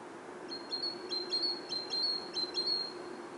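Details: Great tit singing in autumn: clear high two-note phrases, a brief upper note then a steady whistle, repeated briskly about five times over a faint low background hum.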